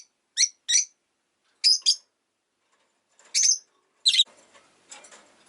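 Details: Rosy-faced lovebird giving sharp, high chirps in close pairs, each pair separated by short pauses, with six bright calls spread over a few seconds and a faint rasp near the end.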